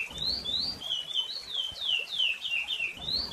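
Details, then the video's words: Chestnut-bellied seed finch singing a flowing run of clear, sweet whistles that slide up and down in quick succession, with a faint low rumble behind. "COMO E O CANTO DO CURIÒ"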